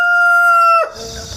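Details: Farm rooster in the countryside, 1 September 2019, crowing in a long series; the final held part of a crow, loud and even, cuts off sharply, and grassland insects' high buzzing fills the pause.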